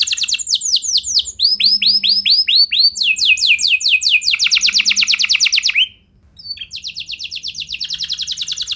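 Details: Canary song for training other canaries: looping downward whistles, a quick rattling trill, a short silence, then a renewed fast trill; a faint low hum sits underneath.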